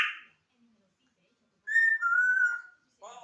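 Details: Pet African grey parrot kept indoors, which talks day and night: a short raspy burst, silence, then a drawn-out whistled tone sliding slightly down, followed by a brief nasal voice-like sound.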